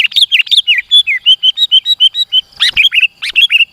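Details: {'text': 'Sooty-headed bulbul singing vigorously, used as a lure to draw rivals closer: a rapid run of bubbly, warbled whistled notes, rising and falling, delivered in a dense string with a couple of sharp clicks midway.'}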